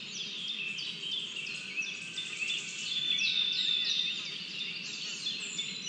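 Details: Eaglet of the lesser spotted eagle begging at its Latvian nest on 27 June 2022, seen on a live nest camera, ignoring a small mouse from its father and waiting for food. A rapid stream of high, overlapping chittering notes, about three per second, with a soft hiss behind.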